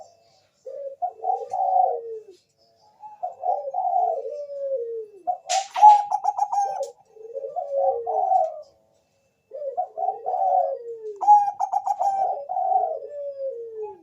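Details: Zebra dove of the Bangkok line giving a lure song to set other doves singing: three cooing phrases, each a cluster of short notes, a sharp stuttered trill, then falling slurred coos.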